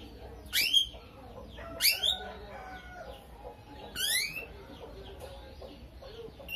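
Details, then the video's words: Three sharp, rising shrill chirps about one and a half to two seconds apart from a chattering lovebird, a fighter bird with starling-imitation phrases, followed by softer scattered twitters. "BURUNGnya LOVEBIRD,suara unik"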